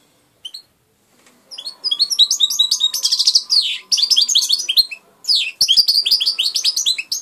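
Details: After a few isolated chips, a hand-raised European goldfinch launches into sustained, jangling twittering song of quick high notes and buzzy trills, pausing briefly twice; a faint constant tone runs underneath.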